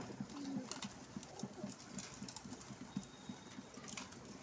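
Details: Several pigeons by a window coo in a low, throaty, pulsing rhythm, the short notes running on almost without pause over a constant room-like hiss.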